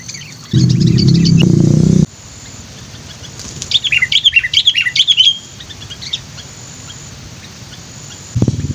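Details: Sooty-headed bulbul used as a lure bird, chatty and lively: after a burst of loud low rumbling, a quick run of rapid, descending chirpy notes, then quiet with another rumble at the end.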